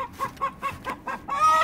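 A hen's egg song: five evenly spaced clucks, about one every fifth of a second, building into a longer, drawn-out cackle at the end.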